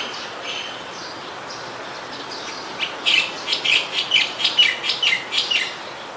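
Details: White-vented myna in Ubon Ratchathani, Thailand, 29 December 2019. After three quiet seconds comes a rhythmic series of about nine bright, chattering notes, roughly three per second, over a constant hiss.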